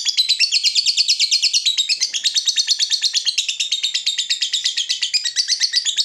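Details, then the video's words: Lovebird in long 'ngekek' chatter, a lure recording meant to set other lovebirds chattering: a dense, high, buzzy trill of rapid repeated notes, unbroken for six seconds, at steady strength throughout. "SEKALI PUTAR LOVEBRID MANA PUN LANGSUNG NGEKEK PANJANG"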